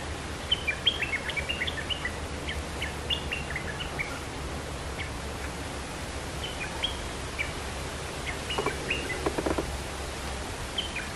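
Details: Red-whiskered bulbul lure song for calling birds: short, bright, warbling phrases of quick rising and falling notes, repeated in bursts over steady background hiss, with a brief low rattling sound later.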